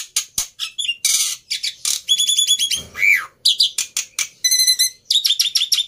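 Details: Black-winged myna, a fighter bird in an agitated, emotional state, kept for training mute starlings: harsh squawks and buzzy bursts mixed with bright whistled notes and rapid chattering strings.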